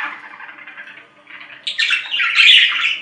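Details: Budgerigar calls: soft, muttered chatter for the first second and a half, then louder, harsh squawking warble with piercing high squeaks, over a quiet steady hum.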